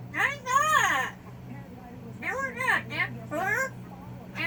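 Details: Yellow-naped amazon (Amazona auropalliata) named Apples, described as going off and complaining, letting loose a run of speech-like, warbling squawks in four or five bursts over a steady low electrical hum; talking call.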